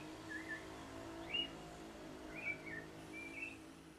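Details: Black-billed thrush (Turdus ignobilis) singing in Manizales, Colombia, recorded from home on 7 April 2020, gives four soft, brief warbled phrases of mid-high pitch about a second apart over a steady low hum.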